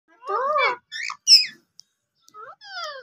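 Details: Tame, playful green rose-ringed parakeet talking indoors: a few arched, voice-like syllables, a short squeaky note and a falling whistled phrase, with quiet gaps between.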